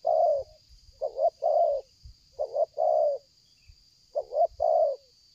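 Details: Spotted dove cooing continuously in the stuttering 'selang gagap' style during luring; three phrases of a quick double note followed by a long rounded coo, with low knocks and a constant high insect whine.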